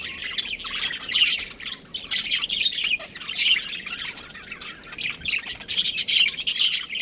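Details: A breeding pair of budgerigars chirps steadily, a dense chatter of high, scratchy warbles and squawks rising and falling in loose waves without real pauses.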